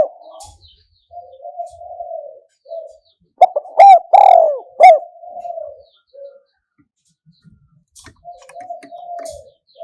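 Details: Spotted dove, kuk-hoi call style, 2021: one loud phrase of clipped coos and a long falling coo, surrounded by quieter, wavering low cooing notes.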